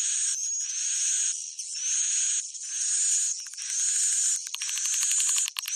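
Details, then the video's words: Swiftlets give dense, high, buzzy chittering in overlapping bursts roughly once a second, ending in quick dry clicking rattles, a roosting lure sound played to make swiftlets settle in a swiftlet house. "suara inap burung walet"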